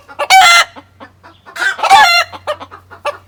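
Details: Farm chickens cackle in an excited chorus of loud, harsh, repeated clucks after a white hen lays her egg in the coop and calls out to announce it, with a guinea fowl calling faintly behind.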